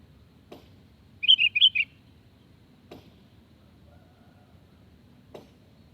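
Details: A sooty-headed bulbul gives a single short burst of four or five liquid, chirpy notes, used as a lure to draw replies from other birds. A few faint clicks and a low background hum surround it.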